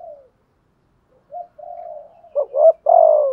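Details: Spotted dove decoy in thúc gù style, thổ voice: quiet fading coo, a pause, soft level notes, then a loud quick double note and a long falling coo.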